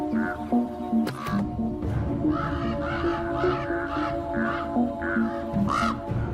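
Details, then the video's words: Common Raven parents, unhappy as a climber approaches their nest with chicks, give harsh croaking caws in a rapid string of short grating bursts about twice a second, over steady background music. "And you can hear Mama and Daddy Raven are not very happy."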